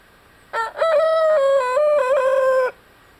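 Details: A 6-month-old, 8 lb Dark Brahma rooster crowing on 24 November 2021, one long harmonic crow of about two seconds, opening with a short note, then holding steady with slight dips in pitch.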